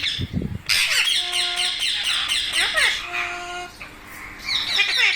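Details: Parrot screeching in rapid harsh bursts after a brief low human voice, with faint steady tones running underneath.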